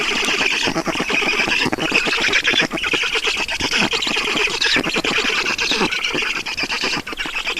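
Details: Black stork nest in Estonia at feeding time, 16:28 on 5 June 2019; a constant hoarse, buzzy begging din of fast repeated notes without a break.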